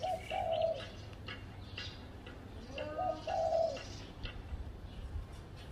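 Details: Spotted dove calling from a tree by a house: low soft coos in two phrases, a brief note leading into a drawn-out coo, against a constant low rumble and light twittering of other birds.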